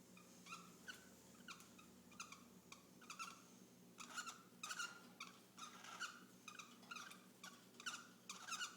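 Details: A male cockatiel mating with a female gives rough, chirpy squawks in quick repeated bursts; the pair has mated about eight times in three days.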